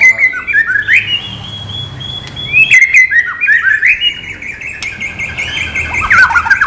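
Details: White-rumped shama, non-bubbling song material: a sustained thin whistle, then repeated slurred chirping phrases and bright rising notes, ending in a quick tumbling twitter.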